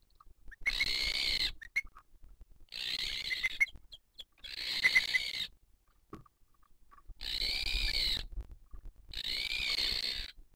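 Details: Booted eagle nest in 2023, female feeding the chick: five long, hoarse, hissing screeches, each about a second long, coming roughly every two seconds, with scattered faint clicks and soft peeps in the gaps.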